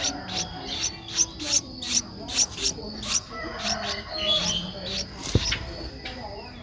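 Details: Nestling Streak-eared bulbul aged 11 days, Ubon Ratchathani, Thailand, April 2023; a run of thin, high, clipped chirps about twice a second, fading later, one sharp click near the end and a steady hum throughout.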